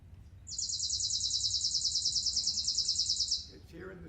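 Chipping Sparrow: a dry, rapid, high trill of even chips held steady for about three seconds, followed by a brief murmur of a voice.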